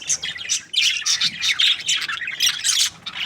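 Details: Budgerigar breeding pair, described as happy, chattering in quick bursts of shrill, scratchy chirps and squeaks, each flurry lasting a fraction of a second with brief gaps between.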